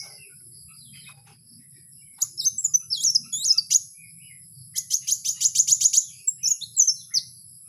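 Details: Kowul singing in the wild: after a quiet start, a jumble of high buzzy slurred notes, then a rapid regular series of about eight sharp chirps, ending in further high twittering phrases.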